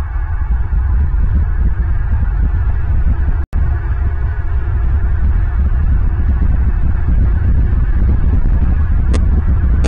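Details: Steady low throbbing hum with deep rumble throughout, a sudden brief dropout near the middle and a couple of faint ticks near the end; no animal voice.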